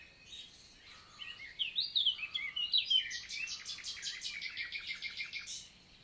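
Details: Summer morning song of a common nightingale (Luscinia megarhynchos), countryside forest of the Célé valley, Lot, France, 11 June 2023: varied sweeping whistled phrases followed by a long, fast repeated series of crisp notes that slowly fades.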